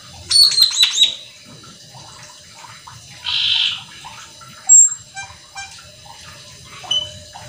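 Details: Cucak keling in lively song with quick fills, meant to provoke others to sing: a rapid run of descending whistled notes, a buzzy hiss, a sharp high whistle, then scattered faint notes.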